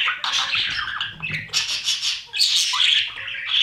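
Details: Breeding budgerigars inside their nest box, parents feeding the babies; loud harsh squawking and buzzy high cries almost without pause.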